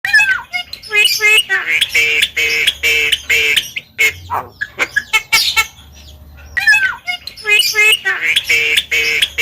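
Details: Asian pied starling singing loud, harsh, squawky phrases rich in harmonics, several grating notes in quick bursts, a short pause near the middle, then more raspy repeated notes.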